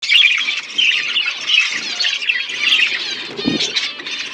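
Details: Budgerigars at a breeding setup while adults feed their chicks: dense raspy, warbling high chatter that runs almost without a break, with brief louder squeaky bursts near the end.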